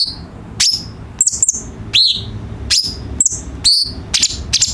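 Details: Cucak cungkok bulbul song used as a tutor recording for training birds kept at home: sharp, high chirps and quick up-and-down whistled sweeps, spaced irregularly about every half second, over a faint low hum.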